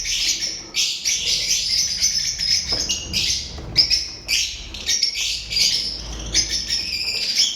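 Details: Lovebirds, recorded on 12 March 2025, give dense, continuous high-pitched chattering and chirping from several birds at once, with no clear pauses and some low background rumble.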